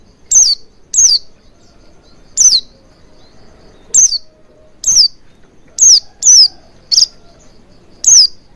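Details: Oriental white-eye lure for coaxing full singing: nine bright, high notes, each slurring downward, repeated at irregular intervals of roughly half a second to a second and a half.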